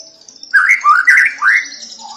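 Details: Persistent White-rumped shama song meant to stir other shamas to sing: a few rich, slurred whistled phrases rising and falling, over a steady high thin whistle in the background.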